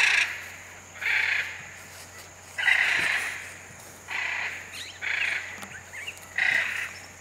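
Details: Hyacinth macaws in the Pantanal give a series of six loud, raucous, rasping squawks about one to one and a half seconds apart, each lasting roughly half a second, over a quiet hissing background.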